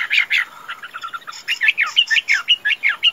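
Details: Tame caged Chinese hwamei known for good singing and fighting, delivering a quick series of short bright chirped notes, about five per second, slightly irregular.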